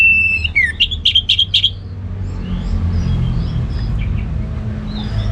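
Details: Orange-headed thrush singing ngeplong gacor: a steady clear whistle dropping into a slur, then four loud rapid pulsed notes, followed by faint scattered high chirps over background hum.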